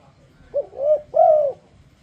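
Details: A single spotted dove lure phrase meant to set other doves singing: a short stuttered coo, a softer drawn note, then a strong, rounded, sustained coo.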